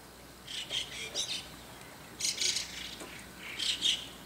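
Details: White-cheeked starlings calling noisily early in the morning above a neighbour's window: harsh, scratchy squawks in short bursts about every second, against steady background hiss.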